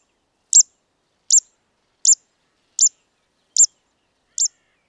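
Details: Zitting cisticola in Sri Lanka giving six sharp, high 'zit' notes, evenly spaced under a second apart like scissor snips, against a silent background.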